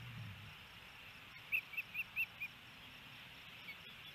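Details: Osprey at a Hellgate Canyon nest in Missoula, Montana, 28 May 2018, during a fish delivery where the male feeds the female, recorded by nest camera: five short, high, slightly rising chirps in quick succession amid hiss.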